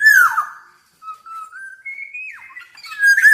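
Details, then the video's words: Black-naped oriole, very vocal (gacor), opening with a rough descending squawk, then level and rising pure whistles after a short gap, ending in another harsh nasal note. "Burung Kepodang Super Gacor"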